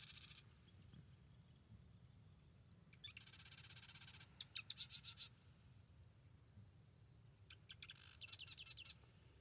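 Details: A marsh wren at Arcata Marsh in the morning gives three dry, buzzy rattling bursts, each about a second long and a few seconds apart, over a faint low hum.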